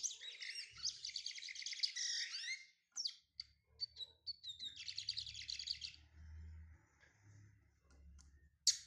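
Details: Brown-plumaged lined seedeater from Pernambuco, Brazil, starting to sing: dense, scratchy, rapid chattering phrases, high and buzzy, in two long bursts separated by a few sharp isolated chips, over a faint low hum.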